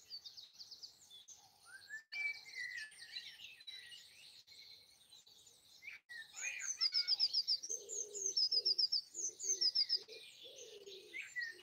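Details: Early-morning Easter Sunday 2020 birdsong from trees at the end of a house in Broadford, County Kildare, Ireland; a varied high warbling chorus, then loud rapid repeated trills in its second half, with soft lower notes below.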